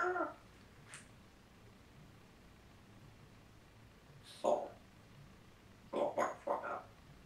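A parrot speaks in short, voice-like bursts: one at the start, another after about four seconds, then three quick syllables near the end, in a quiet room.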